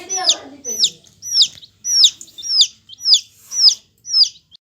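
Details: A yellow hen chick calls loudly and clearly, giving sharp, high peeps that fall steeply in pitch, repeated steadily about twice a second, with a brief low murmur at the start.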